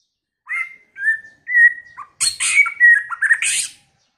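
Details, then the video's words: White-rumped shama song opening with three separate clear whistled notes, each slightly sliding, then a short low note and a loud jumble of harsh rasping notes woven with fast whistles and trills. "chòe lửa hót"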